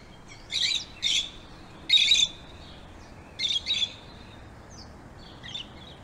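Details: Pet lovebird sounds; a handful of harsh, high-pitched shrieking squawks in short bursts separated by pauses of about a second, over a faint background hiss.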